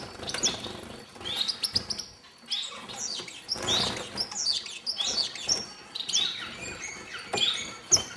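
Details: Feeding star finches at a birdhouse in 2010 give bursts of high, sharp chirps and rising tseet notes, mixed with frequent clicks, pecking and wing-flutter noises.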